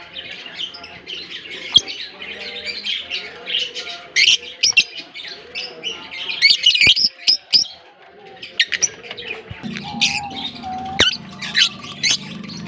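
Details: Many African lovebirds in a Larkana colony, chattering in high, scratchy chirps with sudden sharp squeaks; low soft cooing and a steady low hum join toward the end.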